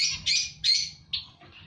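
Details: Zebra finches in a colony give harsh, nasal, toy-trumpet notes in quick succession, with a faint low hum behind.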